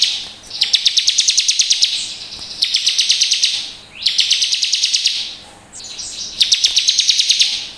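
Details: Bar-winged prinia song played to coax caged birds into singing: loud, very high buzzy trills of rapid repeated ticks, four bursts each lasting about a second and a half, separated by short pauses.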